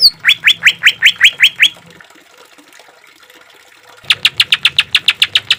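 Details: Rough-voiced Green leafbird song used to train and soothe caged birds: a fast run of rising chips, two seconds of near silence, then another equally rapid burst of sharp notes.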